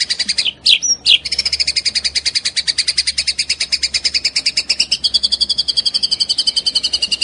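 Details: Vigorous white-rumped shama singing rich fill-in material in full rapid-fire style: a few short slurred notes, then a sustained, rapid series of bright repeated notes that drifts slightly lower in pitch toward the end.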